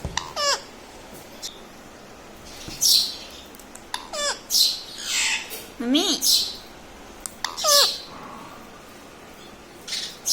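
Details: Pet green ringneck parrot said to talk mummy, papa and radhe radhe, making scratchy voice-like squawks and falling whistled notes in short bursts, over steady hiss in a small room.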